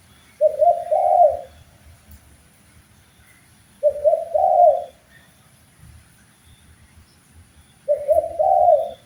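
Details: Spotted dove cooing for a bird-training master recording: three similar low phrases, each a short note then a longer wavering hoot, repeated roughly every four seconds.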